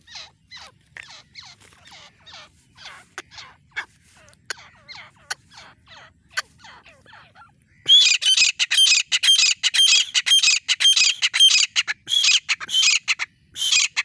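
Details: Female grey francolin calling. Faint, scratchy repeated notes at first, then after about eight seconds a loud run of harsh, grating squawks in quick succession until the end.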